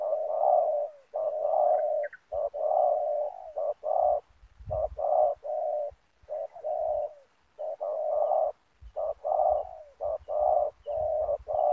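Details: Spotted dove acting as a decoy to draw wild doves into ground snare nets, cooing in long continuous bouts of hoarse mid-pitched notes, short and long mixed, with occasional low thuds.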